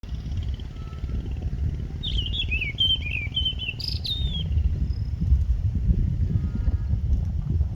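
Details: One of a pair of Indian blackbirds braving strong winds at Bopdeo Ghat, Pune, Maharashtra, India, in August 2022 gives a brief two-second run of high, sliding, warbled notes, nearly drowned by steady roaring wind.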